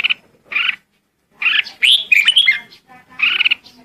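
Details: Calling the flock, a Red-whiskered bulbul gives two short buzzy chirps, a pause, then a tumbling warbled phrase of rising and falling whistles, and one more buzzy chirp.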